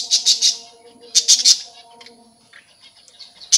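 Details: Budgerigar colony with young birds newly out: three quick scratchy chirps, a second burst of three, then quieter scattered chatter and one final sharp note, with a constant background hum.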